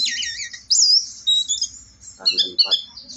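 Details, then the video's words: Orange-headed thrush singing in 'teler' style on a morning of 4 August: high, rapid whistled and warbled phrases with sharp upslurs, briefly broken by a lower harsh burst, with a faint low ticking underneath. "anis merah si dewa mabuk, super teleerrr"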